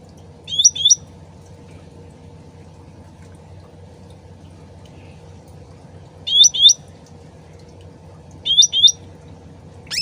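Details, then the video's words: Sooty-headed bulbul song used as a lure, trickling water behind: three doublets of ringing rising whistles separated by long pauses, steady low water sound continuous. "PANCINGAN CUCAK RANTING SUARA ASLI DAN GEMERCIK AIR CEPAT NYAUT"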